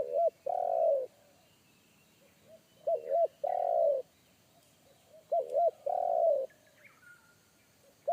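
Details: Spotted dove calling wild in forest, a deep bass one-kuk type that a decoy bird in training avoided. Three full phrases about three seconds apart, each two brief coos then a drawn-out rolled coo. Another bird chirps briefly near the end.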